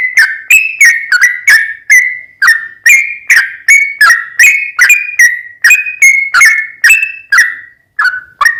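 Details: Sooty-headed bulbul in long, chatty song intended to provoke a rival to sing; a quick stream of whistled notes with sharp clicky starts, slowing and thinning toward the end.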